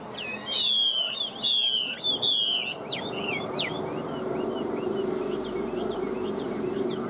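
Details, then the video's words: Three loud, sweeping whistled phrases from a Chinese hwamei praised for its voice by a Vietnamese bird dealer, followed by softer, rapid little chirps scattered over a steady hum. "Hoa mi hót giọng hay"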